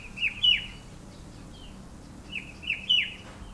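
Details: A Himalayan shrike-babbler (Pteruthius ripleyi), perched on a bare pear tree in an orchard and botanical gardens in the hills, gives a bright, cheery two-note call of quick whistles, repeated after about 2.5 seconds, against faint hiss.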